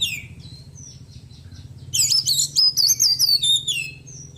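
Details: Oriental magpie-robin, white-breasted and caged, singing after its moult with a song full of small-bird imitations. After a soft start, a loud, high, rapid warbled trill with wavering whistles runs for two seconds.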